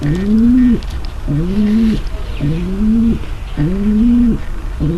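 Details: A hen pigeon calls to ready the male for mating, producing four deep, sustained coos plus the start of a fifth, evenly spaced about a second apart, each a rising glide into a flat, throaty hum.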